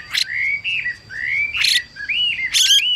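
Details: A female Chinese hwamei, paired with a singing male, gives clear, sliding whistled notes broken by three harsh, noisy bursts about once a second, over a faint steady high tone; a recording meant to stimulate male hwameis.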